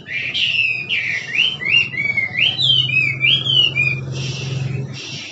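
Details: Wild Chinese hwamei singing in the 'kích trống' style: a flowing run of loud, slurred whistles that rise and fall, with quick looping phrases, then a burst of harsher rasping notes. A low steady hum runs underneath.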